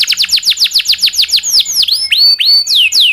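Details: Domestic canary training song, 'cuit cuit' with a long roll: steady run of quick falling whistles, roughly three a second, breaking into longer looping slurs and sustained level notes.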